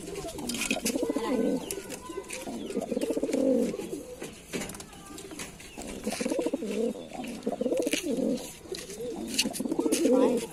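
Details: Repeated throaty cooing from Lalsara pigeons, rolling phrases of a second or two with short pauses between them, over sharp clicks and rustling.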